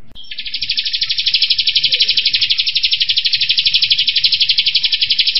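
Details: Kapas tembak, the striated grassbird, giving a sustained rapid trill in 'tembakan' style, fast and tight: about five seconds of evenly pulsed, piercing high notes that build in loudness and then hold steady.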